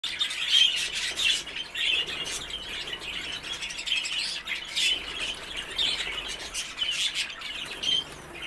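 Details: Exhibition budgerigars (Melopsittacus undulatus), kept birds, chatter in a steady stream of high, scratchy chirps and warbles.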